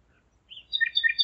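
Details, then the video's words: Nightingale song in the small hours, 01:55, 5 May 2017, Zeitz, Germany: a brief soft whistle that breaks into a bright, rapidly warbled, trilling phrase. "Gesang der Nachtigall - Song of the nightingale"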